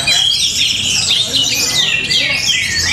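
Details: Rapid, crowded song of an orange-headed thrush from Tabanan, Bali: sharp chirps and quick up-and-down slurred notes pour out without pause, bright and high, over a soft low rumble.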